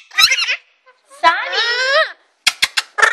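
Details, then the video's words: Caged pet Alexandrine parakeet in a pre-bedtime chat before its enclosure is covered for the night. A grating raspy burst, then a long harmonic, slightly wavering squawk, followed by a quick series of sharp clicks and a short nasal call. "Alexandrine Parrot bedtime chat"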